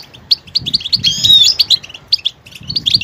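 A goldfinch sings a quick, tinkling run of high twitters and buzzy notes, with a longer rising-and-falling twittered phrase in the middle.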